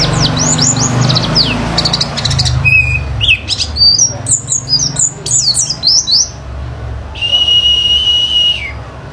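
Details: Pleci (oriental white-eye) lure song to provoke singing: quick high chirps and sweeping twitters, then a sustained flat whistle near the end, with noticeable low-pitched background noise throughout.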